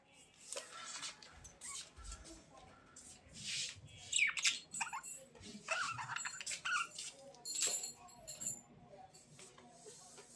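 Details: Budgies chirping: scattered short high chirps and squeaky notes in irregular bursts, some rising sweeps, louder around four to eight seconds, over a low hum of background noise.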